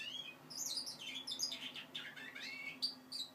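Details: Young goldfinch mule, five months old, practising its song. Quiet, continuous twitter of high chirps and short warbled notes over a low, steady background hum.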